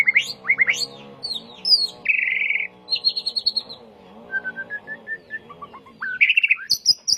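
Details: Training recording for caged white-rumped shamas. Rich varied song with high whistled sweeps, a long buzzy rattle, a series of clear repeated whistles and piercing high notes near the end, backed by a continuous low drone.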